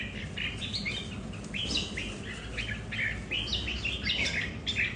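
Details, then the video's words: Red-whiskered bulbuls kept at home, a group competing over territory, each with its own character: continuous bubbly warbling of short slurred notes, rising and falling, from overlapping birds. "Những CB ở nhà so kè lãnh thổ"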